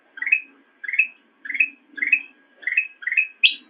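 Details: Black-crested bulbul singing in a master recording for training cage songbirds: short rising, warbled two-part phrases repeated about every 0.6 seconds, six times, ending on a sharper, higher note. No other sounds are heard.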